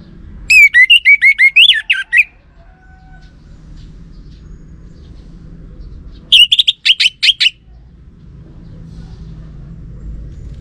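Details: Lure song of an Orange-headed thrush, played to draw a reply from males: two bursts of fast, ringing whistled notes, the first with varied rising and falling slurs, the second shorter and choppier, separated by several seconds of quiet.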